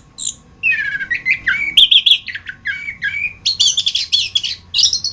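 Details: Orange-headed thrush (anis kembang) in a masteran training song: sweet whistled slurs giving way to rapid buzzy trills and high squeaky notes, ending in a dense run of chips.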